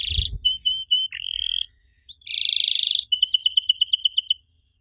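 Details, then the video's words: Canary voice used as a lure for young canaries: short clear whistled notes, a flat held tone, a loud buzzy roll, then an evenly spaced chain of bright chirps fading to silence. "Kenari Muda pasti nyaut kalo denger suara aneh kenari ini"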